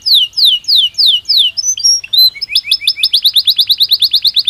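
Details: Natural singing of a Belgian canary: loud, evenly spaced descending whistled sweeps, a brief higher note, then a rapid, regular, pulsing trill to the end.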